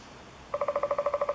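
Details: Eurasian three-toed woodpecker from Chvalčov, Czech Republic, recorded in August 2013: after a brief quiet moment, a rapid, steady run of about a dozen hollow, tonal pulses.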